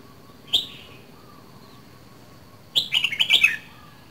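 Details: Red-whiskered bulbul from Dak Lak, Vietnam, two seasons old: a single sharp note, a long quiet gap with faint distant calls, then a rapid bubbly phrase of several chirping notes falling at the end.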